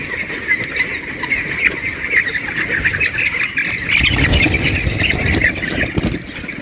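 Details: Flock of broiler white chicks, constant overlapping high-pitched chirping that swells louder in the second half, with low rumbling handling noise and scattered clicks.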